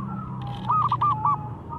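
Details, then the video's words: Short burst of local zebra dove song, used to lure mute doves into singing: a single phrase of a few rounded coos over a steady faint tone and low rumble. "Perkutut Lokal Gacor SUPER JOSSSS‼️ Pancingan yang Bisu"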